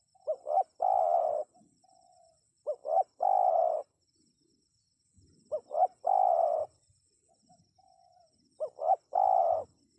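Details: Spotted dove coo series aimed at drawing replies from wild birds; four phrases roughly every three seconds, each two brief hoots and a sustained hoarse coo, softer trailing notes between, light hiss behind.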